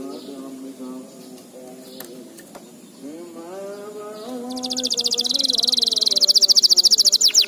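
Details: Training recording for young canaries. A low, wavering, voice-like hum with faint clicks opens the passage, then a loud, very fast, high buzzy canary trill begins halfway through and grows steadily louder.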